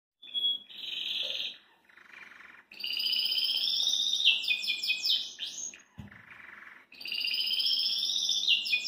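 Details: Caged Belgian canary singing energetically while hopping about: long sustained rolling trills with layered high harmonics, broken by quick descending sweeps and buzzy lower notes, then another extended rolling trill.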